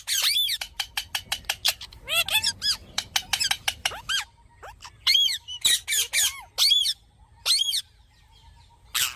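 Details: Green parrot delivering a long chattering series of harsh squawks and screeches, many sliding downward in pitch, with a faint steady tone in the background.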